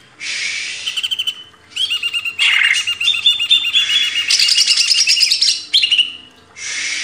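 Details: Greater green leafbird song meant for training cage birds: loud, complex high phrases of quick repeated chips, warbled whistles and harsh buzzy trills, separated by short pauses.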